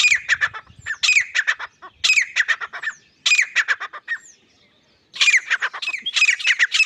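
Grey francolin giving loud, harsh, ringing phrases of rapid repeated notes, roughly one phrase per second, with a brief pause before the calling resumes.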